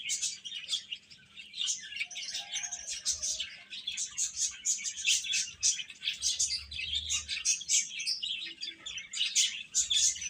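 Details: Chicks of the domestic chicken keep up a steady, thick chorus of thin high-pitched cheeps, rapid and overlapping throughout, without pauses.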